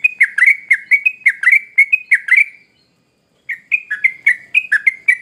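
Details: Sooty-headed bulbul delivering quick bursts of sharp, bubbly chirps. They fall silent for about a second, then start again in the same fast rhythm.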